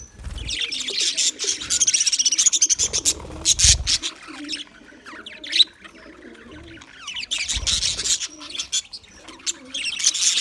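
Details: Australian English budgies recorded February 14, 2024, giving dense, fast high-pitched chirping and chattering in bursts, with quieter gaps between the busy stretches and low thumps underneath.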